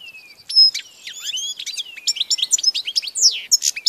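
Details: European goldfinch song from 16 March 2014, a rapid tinkling stream of high chirps, buzzy notes and liquid whistles, growing denser and louder after a soft descending whistle at the start.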